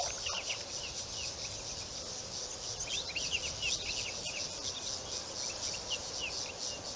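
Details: Flock of white-faced whistling ducks at Rosie's Pan, November 2020: bursts of quick, thin whistled chatter, notes often in rapid runs, set against constant high cricket-like buzzing.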